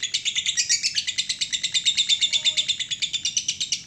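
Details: High, rapid, continuous chatter from a lovebird in the long-trill 'ngekek panjang' style, pulses evenly repeated several times a second without any gap.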